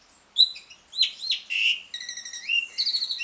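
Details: Ngriwik-style chatter of an Asian pied starling, meant to coax other starlings that have gone quiet into song; sharp whistled notes, a brief buzzy rasp, then a dry rattling trill ending in squeaky twitters.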